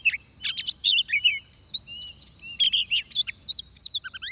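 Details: Bright, varied song of an oriental magpie-robin recorded while trapping, continuous clear whistles, rising and falling slurs and rapid chips strung together almost without a break.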